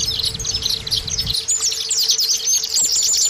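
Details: Lure song of the Oriental white-eye for caged birds: busy high chirps giving way to looping whistled phrases, with a low rumble in the first second and a faint steady hum.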